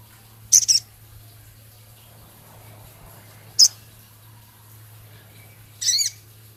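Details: Male Javan cochoa singing actively, with song filled with scarlet minivet imitations, ticking notes and rough chattering: three short, very high sharp bursts spaced a few seconds apart, the last a brief double chirp, over quiet indoor hum.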